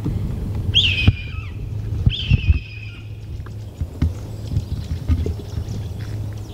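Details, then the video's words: Red-tailed hawk vocalizing in Vancouver, British Columbia, Canada, on 20 February 2019: two hoarse, drawn-out screams that slide downward, about 1.4 seconds apart, over a steady low rumble of background noise, followed by faint scattered clicks. "Very vocal red tailed hawk"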